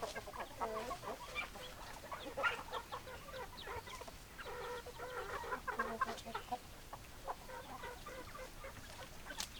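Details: Hens and roosters clucking as a flock, a dense stream of short, overlapping clucks and murmurs carrying on throughout over low background noise.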